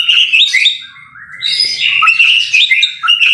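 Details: Murai batu, the white-rumped shama, pouring out a loud jumble of whistled and harsh notes, a rising slur in the middle, with a faint low rumble beneath.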